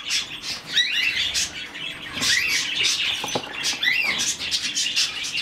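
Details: A rescued budgerigar chick that was hand-fed chirps in a steady, scratchy stream of high squeaks and short upward slurs, with faint tapping in the background.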